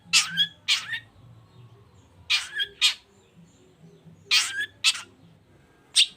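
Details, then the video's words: Long-tailed shrike singing to stir quiet birds into responding, delivering loud harsh rasping notes in pairs and threes, separated by pauses of about one to two seconds, with a faint low hum underneath. "CENDET GACOR ❗RAJANYA DONGKRAK EMOSI CENDET DIAM LANGSUNG NYAUT GACOR IKUTAN BUNYI"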